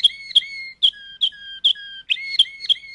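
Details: Short passage of Malinois canary song, with ringing whistled notes opening sharply, dropping to a lower sustained tone mid-phrase, then rising again.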